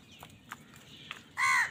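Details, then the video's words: A single loud, coarse caw at the very end, from crows fighting over food. Faint clicks and chirps come before it. "কাকের ডাক Crow Sound Crow ki Awaz Loudly | Crow bird Fight for Food"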